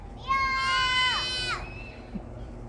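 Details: Peacock giving a single drawn-out, harmonic-rich scream that holds steady for over a second, then drops sharply at the end, over a low background hum.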